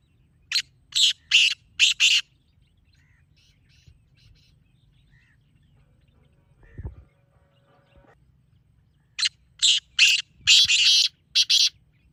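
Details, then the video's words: Black francolin calling, a recording for calling in francolins: a phrase of four rough, buzzy bursts, a quieter gap with faint ticks and a low knock, then another harsh phrase of six notes. "Black Teetar Calling Sound"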